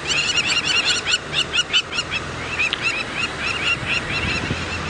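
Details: Crowned lapwings flying over cheetahs at Cheetah Plains on a sunset safari drive, 8 December 2016, calling, unimpressed by the cats: rapid runs of harsh, ringing, repeated notes from several birds, broken by short pauses, over a low engine hum.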